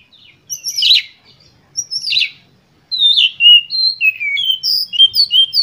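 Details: Oriental magpie-robin in energetic, full-emotion lure song meant to provoke other birds: two harsh, scratchy bursts, then a fast run of varied whistled and slurred notes bouncing between high and very high pitches, no other sounds.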